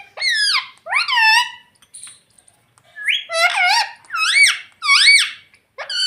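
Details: Talking pet ringneck parakeet repeating squawky, arched, word-like phrases about once a second, practising mummy and papa, with short quiet breaks between groups of calls.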